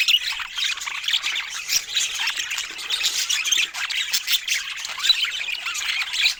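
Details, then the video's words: Pet budgerigars, several birds, chirping while eating fruit: a dense, continuous chatter of squawky, scratchy chirps and squeaks from many overlapping voices, with no pause through the whole stretch. "Cute Budgies Making Sweet Sounds While Eating Fruits"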